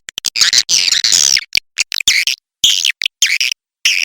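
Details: Lure recording meant to draw swiftlets: harsh, high-pitched chattering squeaks in choppy bursts of under a second, cut by clean gaps of silence, repeated irregularly.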